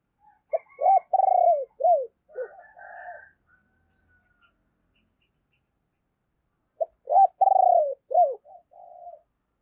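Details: Decoy spotted dove with a low, husky voice, calling and urging to draw wild doves: two rolling coo phrases with falling end notes, and a fainter higher coo between them.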